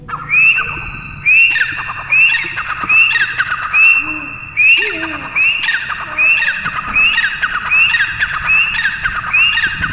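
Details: Pheasant, locally called teetar: loud, harsh squawking calls given in a steady series about once a second, each opening with a sharp rising note followed by coarse, grating lower notes.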